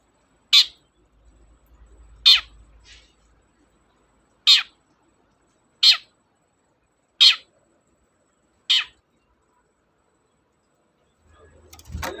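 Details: Long-tailed shrike voice used to provoke shrikes that are reluctant to sing: six brief scratchy notes spaced roughly one and a half seconds apart, with a faint low rumble and a closing burst of noise.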